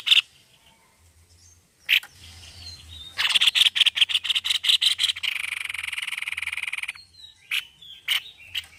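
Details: White-necked babbler in full voice: scattered sharp notes, then a burst of rapid harsh pulses flowing into a dense buzzing trill, followed by a few isolated chips. A low hum sits underneath.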